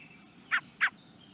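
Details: A young common blackbird in the Netherlands gives two short, harsh chirping notes about a third of a second apart, over a quiet background hiss.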